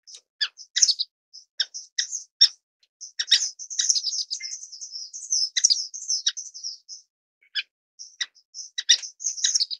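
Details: Orange-cheeked waxbill (Estrilda melpoda) giving thin, high-pitched chirps and short buzzy trills in irregular bursts, some notes clustered into quick chattering runs, with clean silent gaps between.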